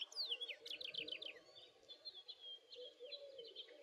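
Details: House finch song: a quick run of bright, slurred, warbled notes that rise and fall, crowded into the first second and a half, then softer twittering over a steady low hum.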